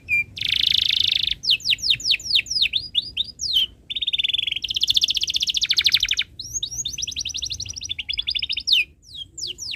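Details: Tutor song of a canary for young birds learning: opens with a dense buzzy roll, then a run of falling sweeps, a steady rattling trill, another buzzy burst, and varied looping high notes.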